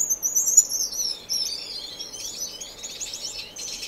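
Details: Finch song inside a non-breeding community aviary in Edmonton, Canada, opening with a loud high whistled note that slides downward, then dense warbling twitters that continue to the end.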